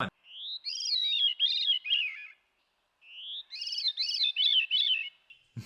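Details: A veery, a North American woodland thrush, sings twice: breathy, ringing phrases spiralling downward in rolling loops with an instant-echo quality, like thrush calls played backwards, each about two seconds, with a short pause between.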